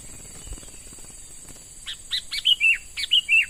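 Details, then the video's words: Sooty-headed bulbul, a young bird caught from the wild and now in training as a lure: after a quiet start, a burst of short rising chirps leads into clear, slurred whistled notes that dip and level off, repeated about twice. "Burung Kutilang MUDA HUTAN Mulai Dilatih Untuk Jadi Pikat Handal"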